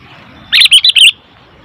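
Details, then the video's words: Sooty-headed bulbul giving a noisy call: four quick, bright chattering notes run together in under a second, against a quiet background. "Suara Burung Kutilang ribut"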